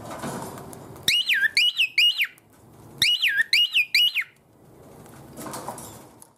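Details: Caged cockatiel refusing to settle for the night, clinging to the cage bars and singing because it wants out to play. Two clear whistled phrases of four or five looping notes, a short gap between them, with soft rustling before and after.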